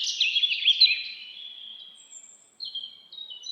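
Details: Bird singing in a forest, a loud warbled, wavering phrase that trails off into a long thin whistle, followed by softer, short, high whistled notes.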